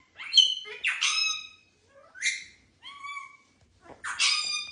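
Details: Pet male ringneck parakeet, said to keep repeating the phrase "what you doing", giving five harsh, ringing squawk bursts with strong overtones over about five seconds, spaced roughly a second apart, with a woman's voice nearby.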